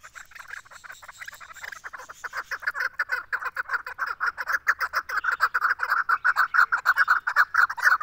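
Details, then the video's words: Female Chukar partridge delivering a fast clucking chatter that builds from faint, ragged notes into a loud, rapid, pulsing series. "female chakor voice"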